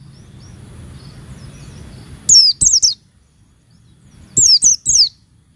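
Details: Oriental white-eye female calling to provoke males: after quiet background hiss, three sharp, very high descending chirps, a pause, then another set of three similar notes.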